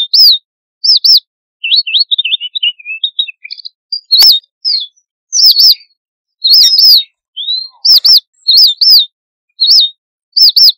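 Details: A red avadavat gives flock-contact calls: high, thin, clear chirps, often in quick pairs, with a brief twittering run of softer notes and no other sounds.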